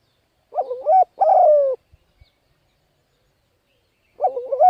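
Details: Spotted dove 'thúc gù' calling for luring birds and training young birds: wavering, bubbling coos with rising and falling pitch, a longer sliding note, a pause with two soft taps, then another wavering coo.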